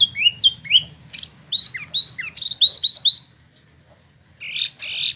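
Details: Rolling 'ngeroll' song of a captive Spot-throated Babbler in Bandung, Indonesia, bird imported from mainland China and Vietnam: a burst of bright, upslurred whistles and sharp chips, a short pause, then a buzzy note.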